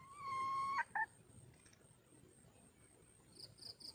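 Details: Red junglefowl hen calling to draw birds in: one steady, drawn-out harmonic note of almost a second, then a short clipped note. After that comes a quiet background with faint insect chirps.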